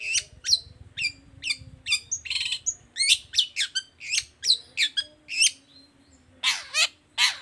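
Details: Long-tailed shrike song in the 'toet toet' style, used to stir other shrikes. Repeated sharp downslurred notes and chatter, ending with louder harsh buzzy calls.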